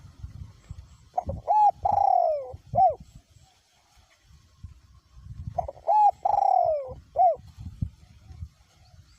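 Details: Spotted dove decoy bird with a small-to-middle voice in windy weather: two well-spaced phrases of clipped notes and a long, smoothly descending coo, with faint wind between them.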